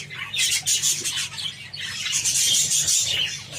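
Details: Java sparrows feeding on wheat grains, giving dense bursts of high, sharp chipping calls mixed with clicky pecking noises, briefly easing off mid-clip before building again; a low steady hum underneath.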